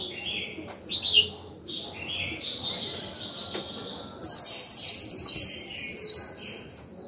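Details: Decoy white-eye performing 'líu' chatter meant to set off other birds. Soft buzzy warbles open, then a fast stream of bright, high, jumpy twitters follows at roughly three notes a second, with a faint continuous whine underneath.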